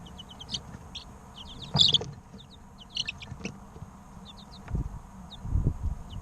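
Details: Three-week-old chicks chirping in a steady flurry of short, high, downward-slurred peeps, some clustered in quick runs, over low soft thumps and rustling.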